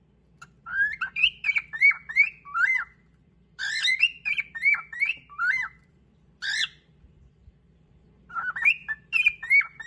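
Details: Pet cockatiel's "song attack" aimed at taking another bird's favourite perch: runs of repeated whistled notes with hooked, dipping shapes, grouped in three bursts separated by short pauses, with a faint low hum beneath.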